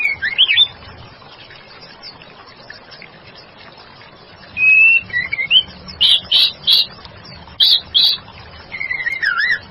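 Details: Female white-rumped shama, or stone magpie, giving short whistled phrases: a brief wavering whistle, a pause, then a level whistle with a rising flourish, and a run of quick sharp chirped notes in two bursts.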